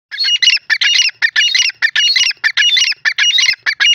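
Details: Grey francolin (dakhni teetar) from a newly formed breeding pair, calling: loud, harsh, rapidly repeated notes in short bursts, closely spaced with brief gaps and a steady rhythm, and no other clear sounds.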